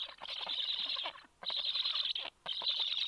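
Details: Black stork nest during a feeding visit on 26 July, the male delivering fish to the chicks. Three hoarse, hissing bursts of about a second each, separated by short silent gaps, each rough and crackling.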